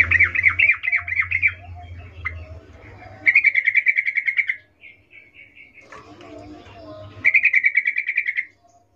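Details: Female sooty-headed bulbul calling to a male with a mating call: quick rolling chatters, then an even run of rapid repeated notes, a few softer spaced notes, and another fast steady trill at the end; faint low hum in the background.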